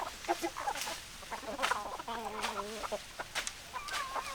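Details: Chickens cluck in quick, choppy notes. Then one bird gives a long, steady, buzzy call lasting almost a second, before the clucking starts again amid scattered clicks.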